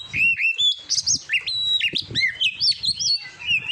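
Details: Oriental magpie-robin singing on a competition-training recording: loud whistled phrases with sharp pitch jumps, level held notes and upward-sweeping slurs, about two notes a second, over a faint low background rumble.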